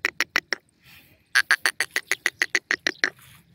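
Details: A partridge gives a few quick clipped notes, falls briefly silent, then delivers a longer run of rapid, rhythmic staccato calls.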